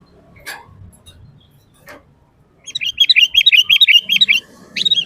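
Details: Sooty-headed bulbul in constant 'gacor' full-isian song, used to train and lure other bulbuls: after a quiet start with faint thumps, a rapid run of bright chirpy notes comes in the second half, then a short closing phrase.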